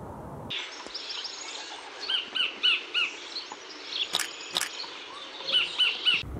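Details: Sacred kingfisher, recorded in New Zealand in 2019, a bird of waterside or open country with elevated perches, giving a series of sharp, harsh, repeated notes in short bursts, about three to four per second, over a steady insect hiss.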